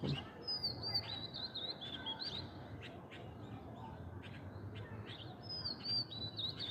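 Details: Oriental magpie-robin among mango blossoms near a coconut palm, singing short bursts of bright, sliding whistles at the start and again near the end, with quieter chirps between and a constant low background hum.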